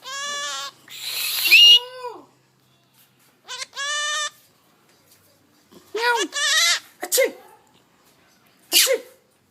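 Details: Rose-ringed parakeet learning to talk, imitating a cat: loud, arched, harmonic meow-like calls, some drawn out and others in quick pairs, separated by silent pauses, with a brief human voice early on.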